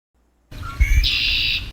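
A Red-winged Blackbird gives a couple of quick, clipped introductory notes and then a harsh, buzzy trill held for about half a second, over a low background rumble.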